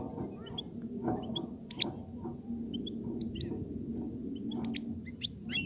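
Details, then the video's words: European goldfinch singing to stimulate a female to mate and nest: scattered high, thin chirps and short twitters, some rising sharply, spread through the clip over a steady low rumbling hum. "صوت لتحفيز انثى الحسون على التزاوج"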